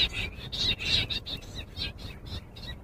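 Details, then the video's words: A common quail in a summer meadow gives a quick run of sharp, liquid, high notes in short repeated bursts about every half second, over a low background rumble. "Common Quail. Bird sounds from summer meadow Bater ki awaaz"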